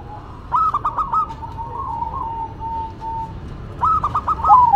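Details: Zebra dove song from a duet of a local and a cemani bird: a quick stuttering burst of coos, then a long, wavering purr-like tone, and a second stuttering burst near the end.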